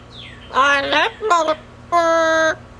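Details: Female double yellow-headed amazon kept as a pet, on a cage outing, producing speech-like harmonic syllables in quick bursts, then a steady, level whistled note held for about half a second.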